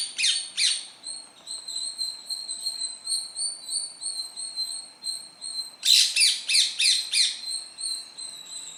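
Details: Indian parrot in a tree in green natural surroundings: two harsh screeches open, then a long thin, high, evenly pulsing whistle runs on before a fresh burst of about six loud, rasping squawks.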